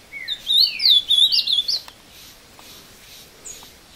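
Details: A captive ultramarine grosbeak, taken into the woods near Passos, Minas Gerais, sings while fighting a wild bird: a rich, fast warbled phrase of sweet rising and falling whistles lasting under two seconds, then quiet with one faint distant note.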